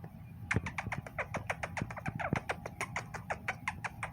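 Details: A pet monk (quaker) parakeet, fighting with a kissing face, gives a rapid run of harsh, scratchy squawks, about six every second.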